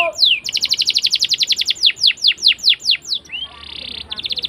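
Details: Canary singing a long rolling song meant to teach young canaries: a rapid trill of bright notes, then slower downward-sliding whistles, a brief rising slur and a steady buzzy roll.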